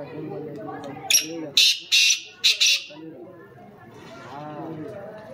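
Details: Black francolin giving a quick series of four loud, harsh notes, with a murmur of people talking before and after.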